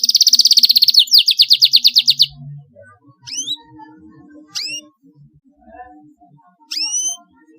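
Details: Canary trill used to prompt young birds to learn singing: a fast rolling high trill, then isolated sharp upward chirps spaced a second or more apart, over a faint low hum.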